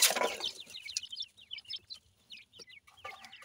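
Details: Feeding Grey francolin chicks, known locally as dakhni teetar, give a run of sharp high chirps in short clusters. A loud rustling burst comes at the start, and soft gaps separate the groups of peeps.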